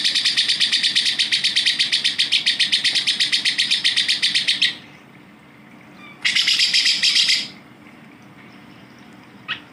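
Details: Grey-cheeked bulbul in a tutor recording used to train songbirds such as White-rumped shama, Oriental magpie-robin and Greater green leafbird: long rapid train of harsh, buzzy chattering notes, then a pause and a second shorter rasping burst, with a faint click at the end.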